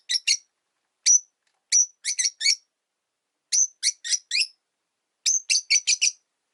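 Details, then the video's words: Caged Rosy-faced lovebirds, three sharing one cage: clusters of piercing high chirps, singles and rapid groups of three to five, with a short quiet stretch midway. "Lovebird Chirping Sounds"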